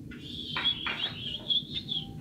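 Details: Common iora, a small yellow bird hand-raised from a chick and kept caged, singing lively and persistently: a continuous high, buzzy chattering of rapid chirps with brief louder bursts, over a low background hum.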